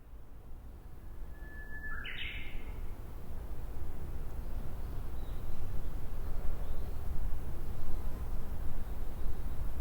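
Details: Japanese bush warbler singing in a fresh green forest in May: one long steady whistle jumps abruptly into a short, higher flourish, then stops. Steady rushing wind roars underneath and grows louder afterward.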